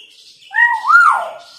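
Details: Hill myna imitating a siren, played to coax quiet mynas into calling: one pure, loud whistled wail that rises in two steps, peaks and glides smoothly downward, with a faint hiss behind it.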